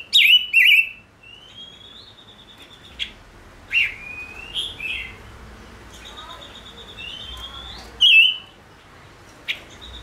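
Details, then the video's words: Gouldian finch, a caged five-coloured finch, singing: loud buzzy wavering notes at the start and near the end, separated by long thin whistles that rise and level off, with short clicks between. "Chim Ngũ Sắc Hót Hay"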